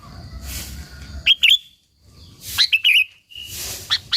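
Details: Sooty-headed bulbul, a local bird in energetic full song used to provoke and lure other bulbuls: two short bursts of bubbly, chirping notes separated by quiet gaps, over a soft hiss of background noise.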